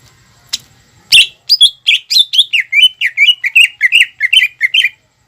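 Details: Greater green leafbird in lively song, used to stimulate young birds to sing: after a sharp note, a fast series of about fourteen clear, downslurred whistled notes, evenly spaced.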